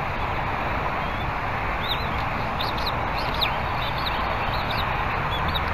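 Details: Female bald eagle at the Berry College nest on a live cam, 21 February 2019, 10:16 AM, as the male arrives and she flies off; thin high chirping calls in short bursts over steady broadband background hiss.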